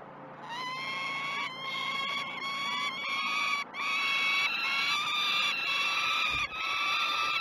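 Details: Peregrine falcon chicks at the Great Spirit Bluff nest, filmed by a live nest camera during the day's first feeds on 12 June 2018, calling in continuous repeated harsh wailing notes, about one or two each second.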